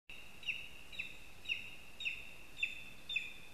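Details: Lesser spotted eagle at a nest in a spruce in Zemgale, Latvia, with a mouse and a spruce twig: short, sharp, high yelps with a quick downward flick, repeated about every half second in a steady series over quiet background hiss.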